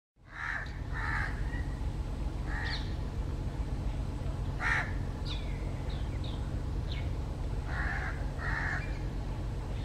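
Jungle Babblers give harsh, nasal, crow-like squawks in short bursts, some paired, scattered over ten seconds above a steady low rumble of background noise.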